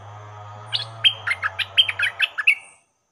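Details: Decoy cage stripe-throated bulbul confronting captured wild birds sings a rapid string of about ten crisp, bouncing notes over a steady low hum that fades out before the last note.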